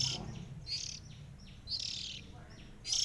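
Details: Three sibling Oriental magpie-robins; singing of rasping, bright high bursts repeated roughly every second, separated by thin falling whistled notes, with low background rumble.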